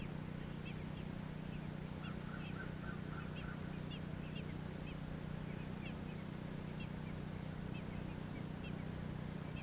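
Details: Baby American robins recorded in Georgia give quick bursts of thin, high chirps, with a brief run of softer, lower whistled notes early on, all against a constant droning hum.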